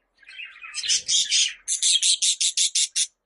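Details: Budgerigar starting with a soft warble, then a run of about a dozen harsh, buzzy, high squawks repeated several times a second in an even rhythm.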